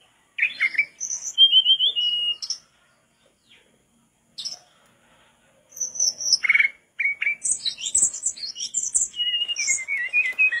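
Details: Mangrove blue flycatcher singing tirelessly as a tutor song for flycatchers: phrases of whistled and warbling notes broken by pauses, ending in a fast sequence of high twittering notes and descending slurred whistles.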